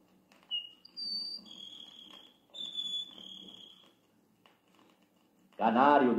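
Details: Grassland Sparrow (tico-tico-do-campo) singing in pindaíba trees in Brazilian grassland: two phrases of thin, high, whistled notes, each held briefly at a different pitch, over a low hum; a narrator's voice cuts in at the end.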